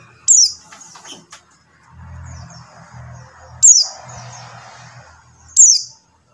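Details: Buxtoni white-eye call used to lure silent white-eyes into singing: three loud, thin, high notes sliding downward, spaced a few seconds apart, over a low murmuring hum.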